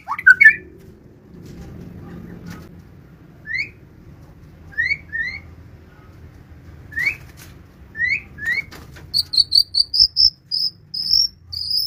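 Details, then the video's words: White-rumped shama during its moult, giving short, bright rising whistles in scattered phrases, then a quick run of clear, high repeated notes at the end, with a soft low hum behind. "murai batu kicau"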